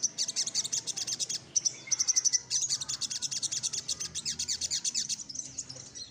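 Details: Little spiderhunter sings energetically while seeking a rival. Rapid high chips run in a long rolling stream, with a brief tinkling trill near the start, and the stream fades at the end.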